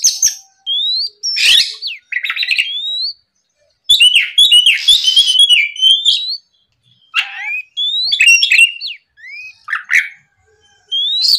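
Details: Loud, open-voiced Oriental magpie-robin song, used in the morning to stir rival birds: upslurred whistles alternate with raspy buzzy bursts, delivered in phrases a second or two long with short silent breaks.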